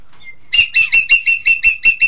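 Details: Engkek keling, the green magpie, delivering a quick chain of about eight strident, ringing notes at an even pace after a faint high whistle, clean and loud with little background.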